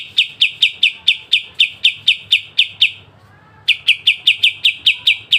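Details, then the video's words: Kapas tembak, or Pied triller, repeating sharp 'besetan' notes for songbird tutoring: a long, steady run of crisp, high, downslurred chips about four per second, a brief pause, then the same series resuming. "Masteran full kapas tembak dengan besetan tajam"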